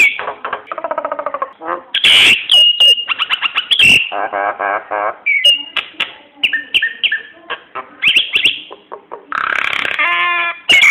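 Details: Nias hill myna singing, a lure to set other birds singing: a rich medley of harsh bursts, rattling buzzy phrases, clear whistles and quick chattering notes, mostly high-pitched and nearly continuous.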